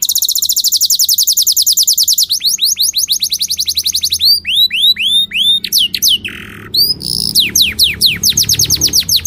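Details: Canary song used for teaching young birds and readying females for breeding: fast trills of rapidly repeated high falling notes, shifting into slower swooping whistled syllables, a brief buzzy note, then more descending sweeps.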